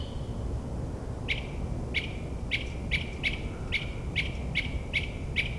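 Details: Northern mockingbird at midnight in suburban New Jersey, imitating other species: a steady series of short, sharp chip notes, roughly two or three per second, fairly faint over low rumbling background noise.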